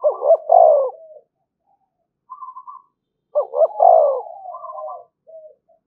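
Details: Spotted dove, a decoy bird calling continuously to provoke fighting: two bursts of low coos, each a stuttered pair of notes swelling into a long falling coo, with softer trailing notes between, about three seconds apart.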